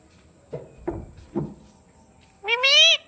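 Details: Pet Indian ringneck parrot: three soft, brief speech-like syllables, then a loud harmonic, slightly rising squawk near the end in a quiet room.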